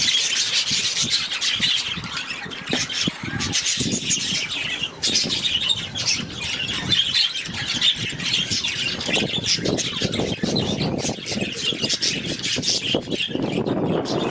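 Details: Many budgerigars in an aviary giving a dense, continuous stream of high scratchy warbles and squawks that overlap without pause, with a few lower thumps underneath.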